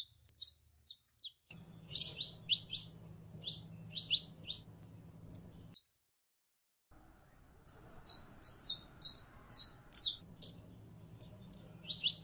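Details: A female canary in heat calls to attract a male for mating: rapid runs of high, sharp, down-slurred chirps, broken by a brief silent gap, then resuming in quick irregular bursts over a soft low hum.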